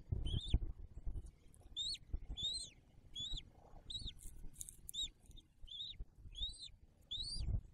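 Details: Newly hatched eaglet's nest in December 2022, where a bald eagle calls with a long run of about ten piercing, arched whistles, steady and evenly spaced, against a low rustling, rumbling background.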